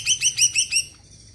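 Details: Greater green leafbird, said to prompt other birds into singing, giving a quick burst of five rich, repeated chirping notes in about one second before falling silent.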